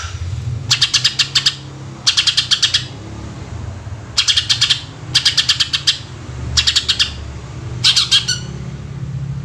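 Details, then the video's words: Greater green leafbird, cucak ijo, singing in full as a lure for other birds: harsh, rapid rattling bursts of clicking notes in groups of five to eight, repeated every second or so, over a steady low hum. "Cucak Ijo Gacor Full Tembakan Suara Asli Jernih Paling Ampuh Buat Pancingan"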